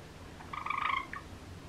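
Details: Cream pet Java sparrow giving a short rattling, buzzy trill lasting about half a second, pulsed and slightly burry, ending with a soft single note, over a quiet low room hum.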